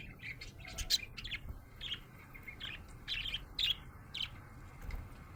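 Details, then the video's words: A happy budgerigar gives clear, separate chirps, bright short tweets spaced unevenly, some rising sharply, with brief pauses between them and little background noise. "Happy budgie chirping sound"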